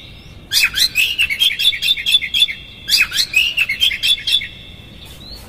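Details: Oriental magpie-robin 'konslet' song with rough fill-ins, used to rouse a rival and make it open its tail: a faint whistle, then two long bursts of fast, jumbled chirps and harsh squeaks, closing with a quiet rising whistle.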